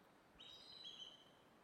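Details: Eagle heard on the eastern seaboard coast, a predator of ducks there, gives a single thin, high whistle held steady for about a second before fading, over faint background hiss.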